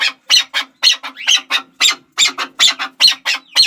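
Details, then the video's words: Close, loud chukar calls: harsh chuck notes spaced a few per second, one rising slurred note mid-series, over a faint low steady hum. "Chakor Ki Awaz || Chukar Partridge Sound"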